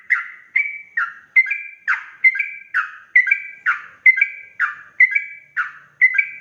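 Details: Sooty-headed bulbul lure song to make other bulbuls reply: a series of double whistled notes, a steady higher tone followed by a lower slurred one, repeated roughly twice a second, loud and clear with no background.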